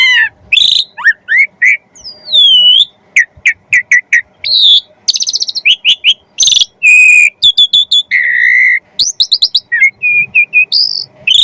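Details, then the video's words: Varied, vigorous Asian pied starling song used to stimulate other starlings to sing quickly: dense sequence of clear whistles, a long curving slur, buzzy harmonic notes and quick chip bursts, with hardly any gaps. "Jalak Suren Gacor Full Isian Pancingan Burung Jalak Agar Cepat Gacor"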